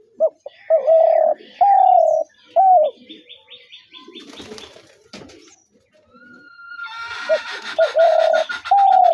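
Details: Spotted doves give soft, mellow coos in short phrases, then a pause, then more cooing, with a faint rattling and buzzy background noise between the phrases.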